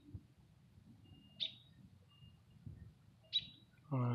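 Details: Chirping bird in a tree gives two sharp high chirps about two seconds apart, with soft thin tones between; a man's voice begins speaking at the very end.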